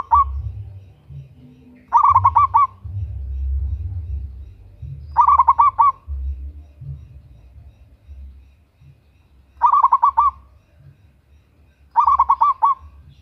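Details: Local zebra dove with a big, lively voice, a female calling a male, played as a lure; five loud bursts of six or seven quick rolling coos are separated by pauses of one to three seconds, with faint low rumble.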